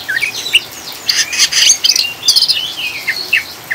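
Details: Oriental magpie-robin ngriwik chatter with rain, a lure for calming birds; harsh scratchy bursts repeated several times with scattered short whistles between, over rain hiss.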